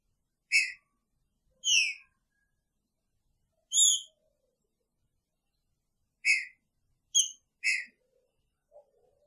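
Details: Caged Green-winged Saltator singing in the picharro style, its female sharing the cage; short whistled notes with bright overtones, some sliding down, given in scattered bursts of one to three over nine seconds, with near silence between.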